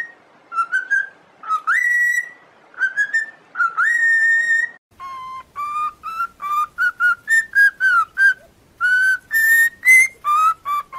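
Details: Pet cockatiel singing to train other birds: long upswept whistles followed by a fast, evenly spaced series of short clear whistled notes rising and falling in pitch.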